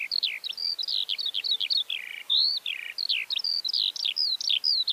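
A Eurasian skylark pours out an unbroken stream of high, rapid chirps and liquid warbles that rise and fall, with no other sounds nearby.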